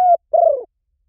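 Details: Spotted dove in a decoy recording meant to lure wild doves: a brief level coo, then a longer husky, wavering note that slides downward. Two notes from a fragment of the phrase, with no other sounds.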